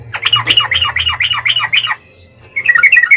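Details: Yellow-vented bulbul in fighting song, played as a lure for other birds to reply; a quick burst of scratchy, rolling chirps for about two seconds, a brief gap, then a higher cluster of bright notes.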